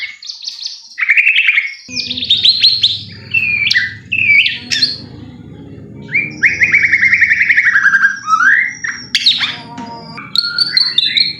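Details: Lure song of a white-rumped shama, meant to make a listening shama sing eagerly: loud whistled phrases that rise and fall, mixed with buzzy rattles and sharp notes, over a steady low background hum.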